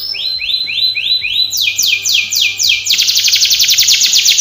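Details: Canary training song: rising slurred whistles repeated, then sweeping falling notes, then a fast even buzzy trill, loud and high.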